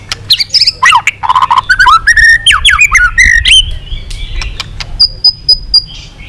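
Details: White-rumped shama singing a long phrase meant to provoke rival shamas; rapid varied whistles, sharp upward and downward slurs and buzzy notes, followed by a few high thin repeated whistles and clicks.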